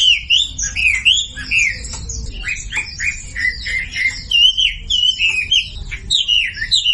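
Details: Masteran song of a Sumatran leafbird to set silent birds singing: bright slurred whistles, one after another in quick succession, mixed with a few harsher squawky notes.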